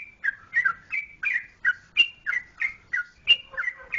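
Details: Trucukan (yellow-vented bulbul) from Jogjakarta gives brisk chirpy whistles. The notes step between two pitches in quick succession, a few with a buzzy edge, and one brief faint lower tone near the end.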